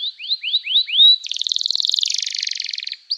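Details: Canary singing 'gacor' song intended to make other canaries answer and to restart stalled singers: four rising whistled slurs, then a long fast rolling buzzy trill that drops slightly in pitch.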